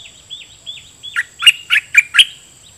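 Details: Red-whiskered bulbul decoy bird singing at wild birds: a few soft, slurred whistles lead into five loud, rich, bubbly notes in a rapid run.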